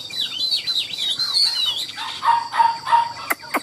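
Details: Chinese hwamei, a caged bird for sale, sings high, swooping whistled phrases, then three steady, level mid-pitched whistles with a couple of sharp clicks at the end.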